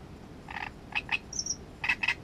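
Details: Great reed warbler phrase: rough, buzzy croaking notes in pairs, with a thin high whistle between them, repeated at a lively pace over a couple of seconds.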